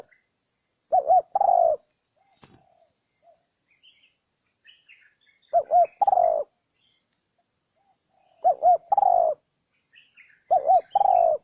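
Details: Luring call of a spotted dove to attract wild birds: four well-spaced cooing phrases, each a double wavering note and a longer falling coo, separated by pauses of about three seconds with soft chirps.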